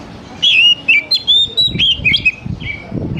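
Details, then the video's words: Oriental magpie-robin lure song for young wild-caught birds, intended to make them sing quickly. A string of loud, clear whistles sliding up and down, with short chirps, runs unbroken for about two seconds and then fades into softer notes. "SUARA PANCINGAN DASAR UNTUK KACER BAKALAN MUDA HUTAN TROTOLAN AGAR CEPAT BUNYI"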